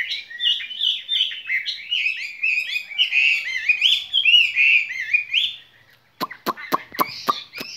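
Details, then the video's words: Long, flowing chirpy warble from a caged skylark in spring song, ending after a short pause with a burst of sharp repeated clicks. "Chim quý ở lồng son ca bản tình ca mùa xuân"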